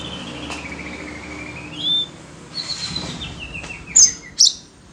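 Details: Magpie-robin excited by other birds' calls: a long whistle sliding downward, then a descending string of short notes and two sharp high chips, with faint background hiss.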